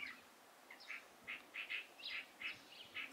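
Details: Recorded 16 April 2023, a light-vented bulbul utters clear, short chirps, some doubled, spaced irregularly about three times a second over faint background hiss.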